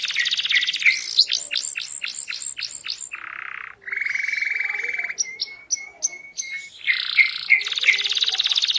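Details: Canary song for stirring other canaries to sing: a buzzy opening, a row of seven sharp upslurred notes, deep rolling trills, a string of thin high pips over a steady whistle, and clipped rolls to finish.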